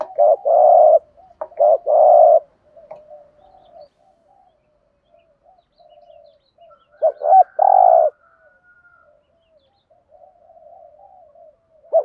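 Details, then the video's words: Spotted dove kept as a decoy, cooing in the urging thúc gù style with a deep giọng thổ voice: two loud low phrases, each a short wavering note and a long hum, then quieter murmuring and a final louder phrase. "Thúc gù bài bản/ tiếng chim cu gáy thúc gù bài bản, chim cu mồi gù thúc, cu gáy thúc gù"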